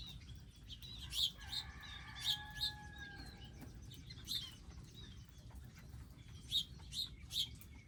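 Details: Wild birds at a garden feeding area with feeders, seeds and water: sharp, high chirps come in scattered bursts. A long, steady, low harmonic tone holds for about two seconds in the middle, over a constant low rumble.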